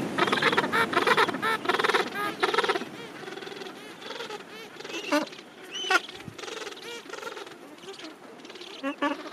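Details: Gentoo penguin rookery at summer's end, thousands of birds nesting together; loud rasping brays crowd the first seconds, then scattered squawks and rising honks over a softer murmur of the colony.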